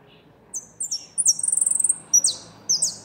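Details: Goldfinch song phrase: loud, sharp, high notes sliding downward, a quick stuttering trill in the middle, then more clipped high notes, over a quiet background.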